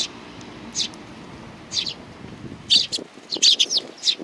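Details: Tame young sparrows giving a few sparse, high, scratchy chirps, then a closer cluster of sharper notes near the end.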